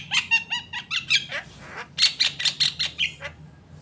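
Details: Javan myna singing vigorously: a run of short harmonic notes with a low tail on each, then a sliding squeal and a string of loud, buzzy, scratchy bursts about every quarter second.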